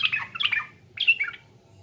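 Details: Sooty-headed bulbul (trucukan), East Java, pancingan lure song: two short bursts of bubbly, warbling notes split by a brief gap, over faint low hum.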